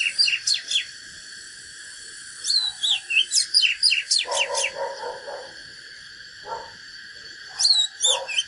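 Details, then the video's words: Fighting song of a natural Oriental magpie-robin: quick runs of sharp, high whistled notes and down-slurred chirps in bursts, with softer lower warbles in the pauses and a constant high-pitched hiss behind. "KÍCH LỬA chòe than || Chích chòe than HÓT ĐẤU CHIM TỰ NHIÊN"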